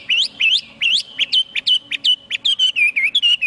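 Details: Chinese hwamei in full song, opening with upward-swept whistles then a quick string of short, sharp clear notes and wavering trills, bright and high throughout.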